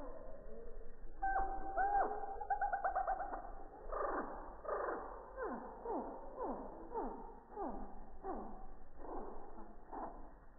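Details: Hummingbird song slowed down in slow motion, recorded on a quiet morning about 3 feet from a busy feeder on an iPhone 6+: a few low trilled notes, then a run of steep downward-sweeping chirps roughly twice a second.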